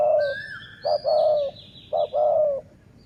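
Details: Decoy-luring dove in the sai mueang style, delivering two coo phrases: a short note then a sustained, slightly falling coo. Faint higher chirps and whistles from other birds overlap.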